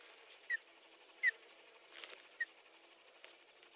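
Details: Osprey at its nest in Estonia, 29 June 2013 at 12:47, as the bird brings a big stick: three short, sharp whistled chirps spaced about a second apart, with faint scraping and a steady hiss behind.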